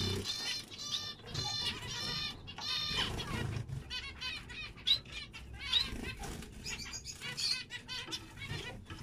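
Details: Zebra finch singing: a series of buzzy, harmonic-rich notes at the start, followed by scattered short chirps, ticks and brief squeaky calls that overlap irregularly. Faint low rumbling runs underneath.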